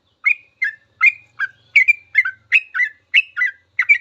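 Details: Yellow-vented bulbul in full 'ropel' for training cage birds: steady series of bright chirps with whistled slurs, roughly ten phrases in four seconds, a faint low hum beneath.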